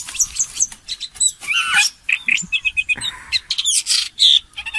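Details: Common green magpie kept as a decoy bird giving a busy run of sharp, high whistles and harsh squawky chatter, the notes tumbling quickly with brief pauses between bursts.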